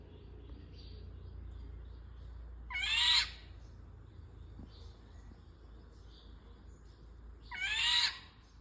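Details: Two raspy, cat-like calls of an Indian golden oriole about five seconds apart, with soft chirping of other birds and low background rumble.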